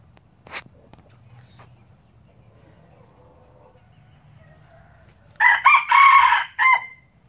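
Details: Crow of a pure Laos red junglefowl breeder from 2016, arriving after several seconds of near quiet with faint clicks: four quick connected harsh pulses, the third longest, then a pause and a short closing note.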